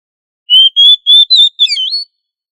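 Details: Oriental magpie-robin (kacer) in full gacor ngobra song, a training recording for other kacer: five clear whistled notes, the first steady and level, then wavering, with a final run of slurred, falling and rising whistles. No other sounds.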